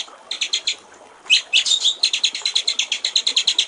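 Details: Master recording of a white-rumped shama singing the "gericik air" trickling style: rapid repeated buzzy high pulses, a brief louder burst of mixed notes midway, then the even pulsing resumes.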